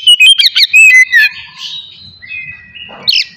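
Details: Oriental magpie-robin morning song for provoking aggression and breeding urge in other magpie-robins; quick sharp chattering notes, then a long drawn-out clear whistle and a final short chirp.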